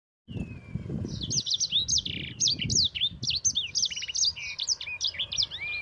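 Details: Yellow-fronted canary in full, rolling song, used to provoke and tutor other cage birds: a fast, unbroken run of high chirps, trills and rising whistled slurs, with low rumbling background noise.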